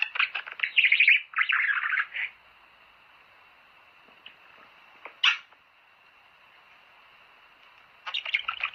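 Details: Budgerigars warbling to spur breeding: two loud bursts of scratchy chatter at the start, then near silence broken by a single squeak, before the chattering returns at the end.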